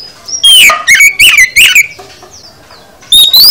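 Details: Oriental magpie-robin in full song: several loud wavering whistles with harsh overtones packed into about one and a half seconds, a quiet stretch with faint high notes, then a rising whistle at the end.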